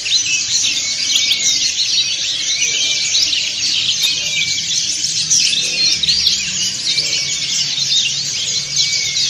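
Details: Many white-eyes of the dakun and montanus kinds singing together in a group, kept for training other birds; a dense, continuous wash of high, twittering, scratchy chatter with quick sliding notes, no pauses throughout.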